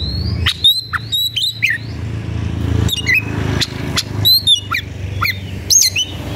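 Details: White-rumped shama, agitated and looking for a rival to fight, gives bright whistled notes and quick sweeping chirps in short bursts, with pauses between phrases and a low background rumble.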